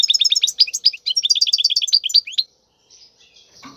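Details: A wild goldfinch in khalwi style, singing for young birds to learn, pours out quick liquid twitters and buzzy notes for over two seconds, followed by quiet and a faint scuffle.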